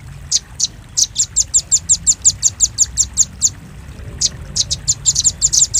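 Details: Velvet-fronted nuthatch lure call used to attract birds: sharp high chips in a quick, even run, a short pause near four seconds, then a faster burst of chips.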